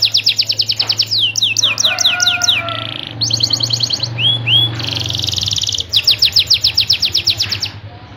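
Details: Busy canary song, played to set lazy-singing canaries off: rapid sweeping chirp runs, a dense buzzy roll, two clear upslurred whistles, then more quick chirp series. A steady low hum runs in the background.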